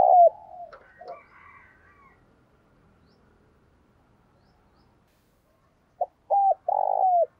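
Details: Spotted dove used as a decoy for luring wild birds, a lively caller: one hollow coo at the start and some faint higher notes, then a quiet pause before a fresh run of three deep, rounded coo notes.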